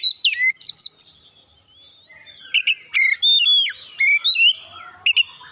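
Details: Oriental magpie-robin song meant to get other birds singing: sharp high whistled notes in quick groups, pauses, then varied slurred whistles and chips.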